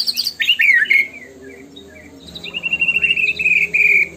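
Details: Murai batu (white-rumped shama) in gacor song: a tumbling burst of descending whistles, a quiet pause with soft notes, then a long fast rattling trill held at one pitch.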